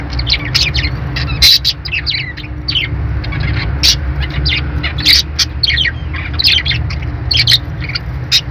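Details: Budgerigar chirping: quick bright high chirps and short warbled notes in loose bursts, some sharp clicks, over a steady low hum.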